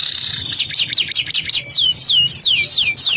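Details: Canary in a long, rich-phrased song: a brief steady high trill, then a run of descending whistled sweeps, about three per second, with low background hum.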